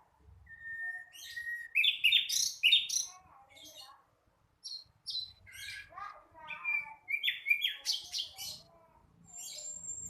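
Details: Young flycatcher still learning to sing, giving a busy, varied run of high chirps, slurred whistles and rapid twittering notes, with a long steady whistle near the start and brief pauses between bursts.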